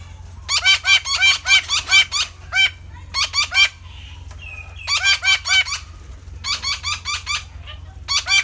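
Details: Red-breasted parakeet (Psittacula alexandri) giving loud, harsh, grating squawks in rapid bursts of four to six notes, separated by short pauses, over a faint low hum.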